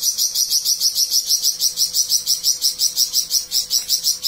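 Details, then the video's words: Flamboyan bird singing a long rapid passage: a steady stream of very high, sharp chattering notes repeated about three times per second without a break, over a faint constant low hum. "Burung Flamboyan Gacor Besetan Panjang"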